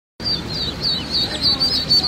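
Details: Welsh Harlequin ducklings peeping together in a steady chorus of high, thin chirps that waver and overlap, with brief brighter notes near the end and soft low background rumble.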